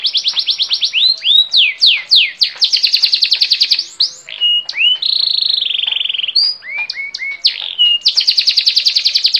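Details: Canary delivering rapid chopped trills, then deep downslurred whistles, a steady lower buzzing tour, short rising chirps, and a final dense high trill.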